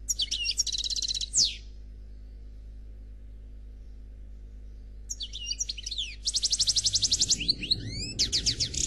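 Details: Goldfinch (Noir) in flawless khalwi song: a quick twittering phrase with a buzzy trill and downslur, a long silence, then resumed bursts of tinkling notes, fast repeated trills and rising whistled slurs.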